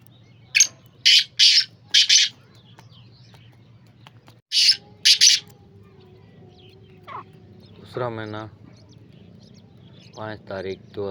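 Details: Black francolin calling: loud, harsh, grating notes in a quick run of four, then a pair after a pause. These are followed by lower, nasal, harmonic-rich calls near the end over a faint low hum.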